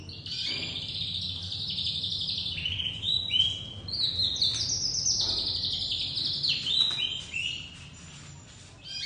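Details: Young dominant white crested domestic canary starting to sing, giving a steady stream of high, rolling trills and twittering notes over a low background rumble.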